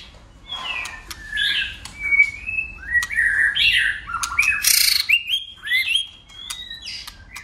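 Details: White-rumped shama singing a long-lasting competitive song with tail-flicking: varied clear whistles, swooping slurs and harsher squeaky notes, interspersed with crisp clicks.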